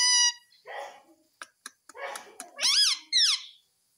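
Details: Indian ringneck parakeet, a pet, talking and saying "mummy": a flat tonal note, then muffled speech-like syllables and clicks, ending in two loud rising-then-falling whistled squawks.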